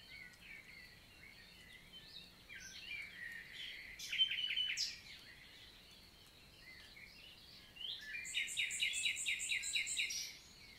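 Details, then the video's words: Common nightingale singing on a June morning in southern French woodland; varied phrases with sharp chips and a short rattle, a pause, then a long series of fast repeated notes. "NIGHTINGALE MORNING SONG"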